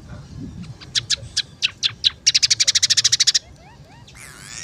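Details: Lively song of a scaly-breasted munia: scattered sharp, high clicks speed up into a rapid run of bright chips, followed by soft rising whistles and a brief higher rustling note at the end.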